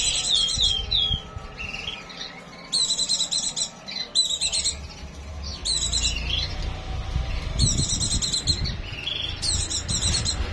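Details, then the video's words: Pleci (white-eye) in breeding condition singing: bursts of high, rapid, buzzy twittering trills repeated in short phrases, with a low rumbling background noise throughout. "pleci birahi"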